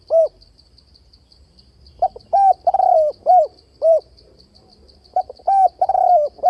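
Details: Spotted dove trap-lure calling, switching voice with repeated 'bo' coos: a single soft hoot, then two cooing phrases of several rounded notes, one with a long drawn-out falling note, with a faint high pulsing tone behind.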